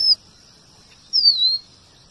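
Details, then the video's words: Red avadavat (emprit strawberry), a singing bird presented as tutor material for white-rumped shama, giving two very high thin notes: a short opening pip and, after a gap, a longer whistle sliding downward. "Emprit geni STRAWBERRY gacor MASTERAN kombinasi BURUNG KACER"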